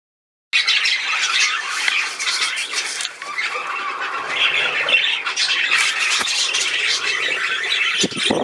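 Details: A caged male budgerigar chattering indoors in a steady stream of scratchy, buzzy warbles and squawks, dense and continuous for about eight seconds.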